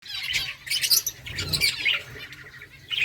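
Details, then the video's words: Colony of finches eating eggfood, several birds giving high, short chirps and tweets in overlapping bursts, with soft rustling and low background hum. "Birds chirping sounds Finches eating eggfood finches colony"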